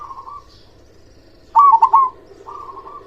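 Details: Local zebra dove, a loud, persistent singer used to lure and prompt silent doves to sing; one loud stuttering coo phrase of quick bubbling notes, framed by softer drawn-out cooing from other doves and a steady low cooing background.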